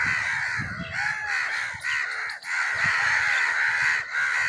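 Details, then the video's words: Several crows cawing, a sound used to attract crows: rough, rapidly repeated caws overlapping in a dense chorus with short dips in loudness, over faint low rumble. "Crow sounds to attract crows"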